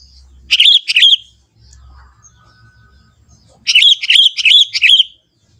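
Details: Young wild Sooty-headed Bulbul singing lively in the forest: a pair of rich, bubbly notes, a quiet stretch with low background hum, then a run of about five warbling notes.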